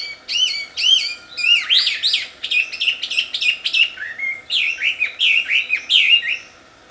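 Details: Wild Chinese hwamei (melodious laughingthrush, Garrulax canorus) pouring out a loud, varied song of quick rising-and-falling whistled phrases and rapid repeated notes, over a faint steady hum.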